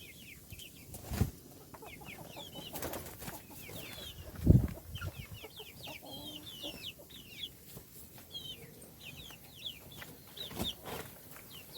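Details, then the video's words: A group of little chickens calling at a meal; dense chorus of thin, high downslurred peeps running the whole time, with occasional thumps and knocks. "صوت الدجاج // little chickens chirping SOUNDS"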